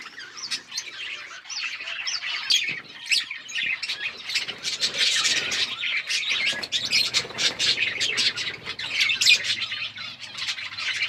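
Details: A group of budgies chirping while eating food, recorded 29 October 2023: a dense, continuous chatter of many overlapping warbled and scratchy chirps, rising and falling in loudness throughout, with no other clear sounds.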